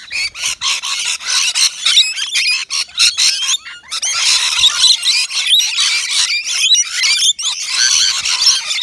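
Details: Several rainbow lorikeets, native Australian birds, squabbling over a balcony nectar feeder; noisy rasping screeches and chatter, a quieter spell near the middle, then louder, denser calling.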